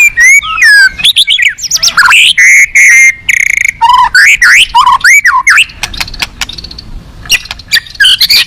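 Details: Contest white-rumped shama (murai batu) on the hanging pole delivering a luxurious fill-in song: dense loud whistles swooping up and down, buzzy warbles and rapid notes, ending with scattered sharp clicks.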